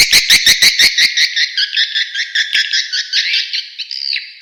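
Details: Edible-nest swiftlet attraction call for outdoor use: opens with a quick run of dry clicks, then continuous buzzy twittering chirps repeated rapidly, ending in a thin whistled note.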